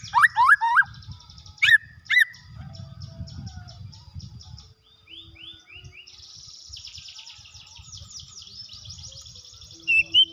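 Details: White-rumped shama in breeding condition giving short bursts of sharp, sweeping whistles at the start and the end. Quieter, rapid high trills come in between, with steady low rumbling noise.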